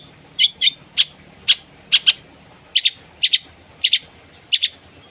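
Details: Coarse masteran song of a long-tailed shrike, a lure for a silent shrike: sharp paired chips, each pair about half a second apart, with faint thin whistles in between.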